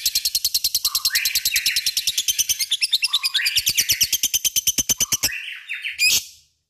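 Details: Lovebird ngekek: fast, steady rattling chatter of buzzy repeated notes, overlaid by brief rising chirps, ending with one sharp squawk.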